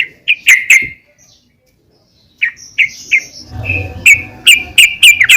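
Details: Calling female yellow-vented bulbul, meant to stir other bulbuls into singing: a few clipped, bright chirps, a pause of silence, then more quick chirps repeated at an uneven pace over faint background rustle.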